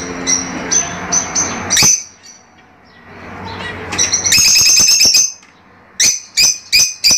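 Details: Fischer's lovebirds in captivity, calling to encourage mating: scattered shrill chirps, a dense burst of harsh squawks in the middle, then four sharp high calls spaced evenly near the end.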